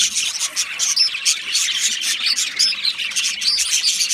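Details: Budgerigars of Australian stock chatter together: thin, bright chirps and quick upward-flicking whistles pile up into a dense, lively twitter with no pauses.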